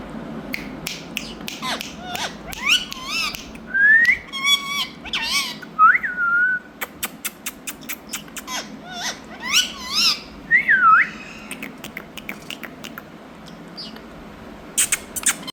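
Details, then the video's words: Indian ringneck parakeet kept as a pet, talking and whistling indoors; a busy run of rising and falling whistled notes, squeaky syllables and sharp clicks, with a steady low hum underneath. "Talking Parrot Compilation"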